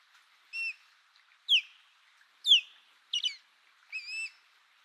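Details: Osprey, given as American osprey, uttering five separate whistled calls about once a second: some flat, steady whistles and some steep downslurred notes, one a quick double chirp.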